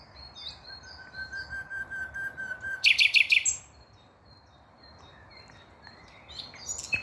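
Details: Nightingale song from 5 May 2023: soft high twitters and a long steady whistle that swells in volume, breaking into a short burst of loud rapid notes, followed by quiet with faint distant chirps.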